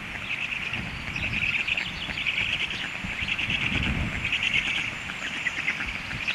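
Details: Hungry storklets produce a continuous, hoarse high chatter of quick repeated pulses, rising in intensity midway, set against low wind-like rumbling.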